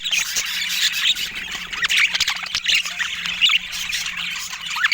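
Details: Chattering pet budgerigars give rapid, overlapping high chirps and scratchy warbles with brief squawks, punctuated by light clicks over a faint low hum.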